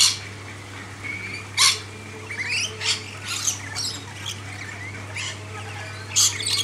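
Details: Hand-fed lorikeets in a backyard give scattered sharp squawks and short rising screeches, with a loud one at the start and another near six seconds, over a steady low hum.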